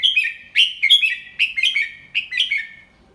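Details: Slow, clear 'double 3' song from an adult Red-whiskered bulbul teaching young birds: a steady run of rollicking whistled phrases, each of two or three lilting notes, repeated about three times with little pause.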